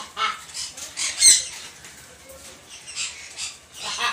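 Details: Macaw calling with loud, coarse screeching squawks, a few short bursts spread over several seconds, each raspy and noisy rather than whistled, separated by brief quiet gaps.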